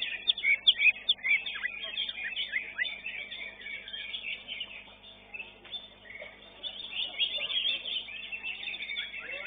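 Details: A greater green leafbird at a songbird contest in Srengseng pours out a rapid, varied run of high chirps, whistles and trills, with other birds chattering alongside.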